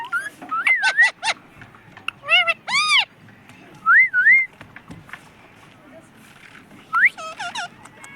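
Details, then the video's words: Pet talking parrot, described as a parrot that says "mummy papa": bursts of high, stacked squawky syllables and a loud wavering whistle rising and falling, with quiet pauses between and faint human voices beneath. "mummy papa bolne wala tota"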